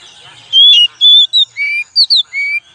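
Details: Lure song of an oriental magpie-robin: seven bright whistled notes, mixing level, falling and short paired notes, delivered briskly in about two seconds.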